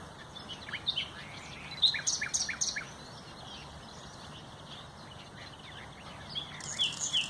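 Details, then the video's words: Common nightingale, recorded 30 April 2021, singing a varied phrase: scattered chirps building into a burst of rapid, loud repeated notes, a pause, then a high buzzy rattle and further sharp notes. "NACHTEGAAL (COMMON NIGHTINGALE)"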